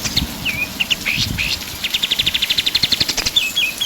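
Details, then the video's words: Pied triller singing energetically: slurred downward whistles and short notes first, with a low rumble underneath, then a rapid even trill of bright chips and two falling whistles. "KAPAS TEMBAK GACOR"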